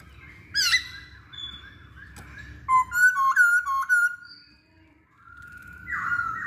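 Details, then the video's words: Masked laughingthrush singing as a lure to prompt other birds: a sharp high squeaky opening, soft chattering, then a run of four or five bright upslurred whistles and a final buzzy level note. "Pancingan Poksay Hongkong"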